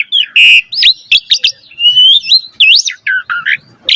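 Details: Asian pied starling singing varied training song: bright whistles, bent rising and falling slurs and short chattering notes, with a brief harsh burst at the end.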